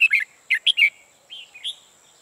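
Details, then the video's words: New trapping decoy red-whiskered bulbul singing ché: quick, loud clusters of bright whistled notes, then two softer, drawn-out fluty slurs. A thin, steady high tone hums in the background. "Bẫy chào mào Mồi mới ché ngất người"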